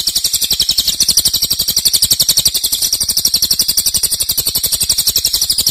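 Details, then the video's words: A cililin's loud 'nembak' song, a popular master for teaching other songbirds: rapid, shrill, evenly repeated notes forming a continuous high buzzing trill. "Cililin nembak keras dan Rafat durasi fanjang"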